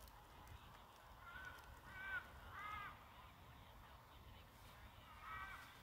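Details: White-bellied sea eagle chick calling to its mother for food at the nest on a live nest camera, 5 August 2022; a few separate arched, slightly harmonic squeals, each under half a second, over steady background hiss.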